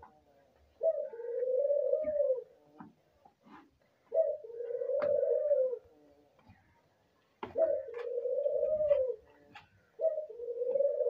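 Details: Albino dove heard in the breeding season: four steady, low, hollow coos, each starting with a brief upward note and lasting over a second, repeated about every three seconds amid faint clicks indoors.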